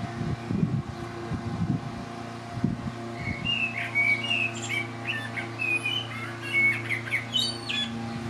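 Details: Late-spring rooftop song of a male common blackbird, Lower Hutt, New Zealand, breezy day; a long run of varied fluty warbles and high squeaky notes in the second half, after low thumps and a constant mower drone.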